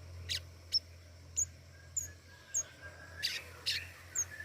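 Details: Flowerpecker calling actively: a series of very high, thin, sharp ticks and short chips, repeated roughly every half second with small pauses, over a steady low hum in the background.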